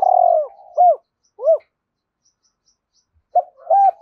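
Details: Spotted dove of the two-ending style challenging wild birds: a phrase ends with a rolling trembling coo and two arched, falling hoots, then silence before a new phrase begins.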